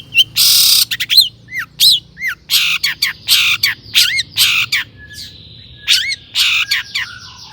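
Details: Long-tailed shrike song used as a lure to get other shrikes singing: a harsh scratchy burst, then repeated curling whistles and rasps, a steady thin whistle and dry rattles near the end.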